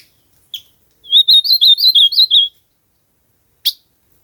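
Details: Wild ultramarine grosbeak in nature delivering one quick phrase of about eight bright, rising and falling whistled notes over roughly 1.5 seconds, followed by silence and a single sharp click.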